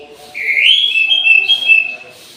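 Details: Orange-headed thrush in an aviary at midday, singing one sustained high whistled phrase that rises at the start and then holds level, wavering slightly, for about two seconds.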